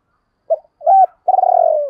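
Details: Lure call of a spotted dove for attracting wild doves: a brief soft note, a short coo, then a long throbbing coo that trails downward.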